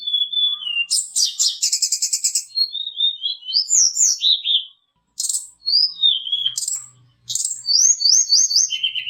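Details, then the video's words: Mountain tledekan fighter song played as a lure call: high varied whistled phrases, some gliding up and down, mixed with rapid buzzy trills and repeated short notes, with brief pauses between phrases. "PANCINGAN SUARA BURUNG TLEDEKAN/SULINGAN GUNUNG FIGHTER GACOR"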